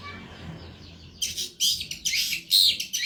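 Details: Cendet, the long-tailed shrike, singing vigorously in an Indonesian tutor recording. After a second of near quiet come abrupt loud bursts of noisy, high, scratchy chatter with one clear whistled note.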